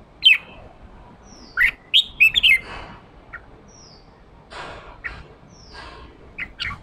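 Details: Red-whiskered bulbul male in ché song, fired up to push wild-caught birds to sing: a sharp note, then a rapid cluster of slurred, bright whistles, followed by soft rustling and a few faint chips.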